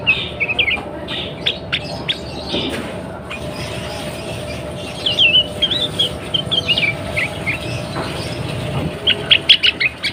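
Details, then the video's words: Female sooty-headed bulbul in breeding condition, calling to prompt males to sing: scattered short chirps and a bubbly run of warbled notes midway, with a few sharp chips near the end over steady background hiss. "SUARA KUTILANG BETINA BIRAHI"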